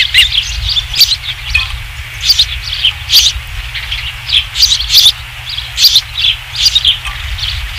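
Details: Osprey at the Dunrovin Ranch nest, 27 July 2016, evening, around a third fish delivery: bursts of high, sharp, whistled chirps in short clusters, spaced roughly every half second to second, over a low steady hum.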